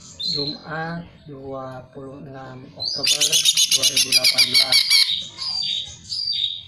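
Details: Greater green leafbird song played as a lure to get other birds singing: a rapid, rattling string of high buzzy notes over two seconds and short whistled notes, following low harmonic voice-like sounds.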